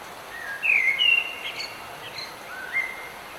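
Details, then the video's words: A bird singing in the rain: thin slurred whistles, some rising and some falling, scattered across the clip over a steady hiss of rainfall. "Bird Singing in the Rain"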